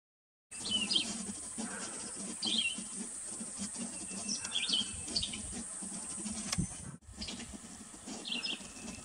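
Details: A red-eyed vireo in Texas sings short, high, warbled phrases, each lasting a fraction of a second and spaced a second or two apart, over a steady hiss and low rumble.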